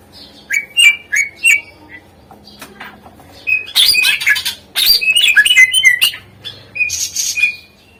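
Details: Greater green leafbird song used to prompt reluctant birds: a few spaced whistled notes, then long bursts of dense chattering and whistled phrases, ending with a rising whistle.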